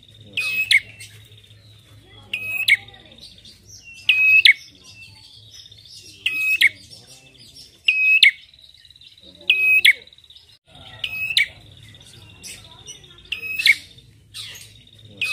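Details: A prinia (red-headed "prenjak", used as a lure call) gives sharp, chattering bursts of high notes about every two seconds over a steady thin, high buzzing tone that runs throughout.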